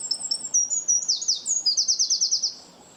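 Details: Bird chirping: thin high twitters and downward-slurred chips lead into a fast run of about ten evenly spaced, sharp repeated notes, then fade out.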